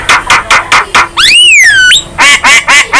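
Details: Young Javan myna, head bobbing, its song said to make other birds fierce; a few loud nasal repeated notes about every quarter second, a long rising-and-falling whistle, then more repeated notes.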